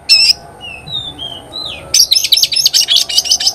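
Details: Oriental magpie-robin opening with a harsh burst, then soft sliding whistles, then a rapid string of sharp, scratchy chirps.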